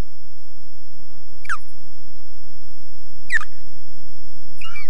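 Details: Osprey defending at the RSPB Loch Garten nest in Scotland gives three sharp, high whistled notes that slide steeply downward, spaced about one and a half seconds apart, over a steady low rumble of wind.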